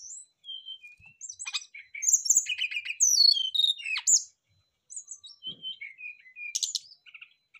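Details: Several brown-chested jungle flycatchers in a back-and-forth song exchange, singing vigorously. Quick sequences of high whistles, downslurred notes and rattling chips, with a dense burst in the middle before a short silence and renewed phrases.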